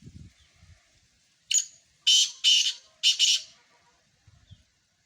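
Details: Harsh, rasping call of a black francolin: one short note followed by two clipped pairs of grating bursts, set against near silence with faint low thumps at start and end.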